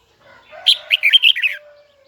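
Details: Red-whiskered bulbul of the Huế type singing in its high, double twisted voice: a quick run of five or six loud, bright whistled notes that bend up and down, over a soft lower warble.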